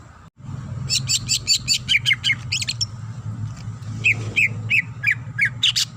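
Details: Greater green leafbird song from a female calling the male: a run of rapid buzzy high-pitched notes, then slower downslurred chirps repeated roughly twice a second, over a low constant hum.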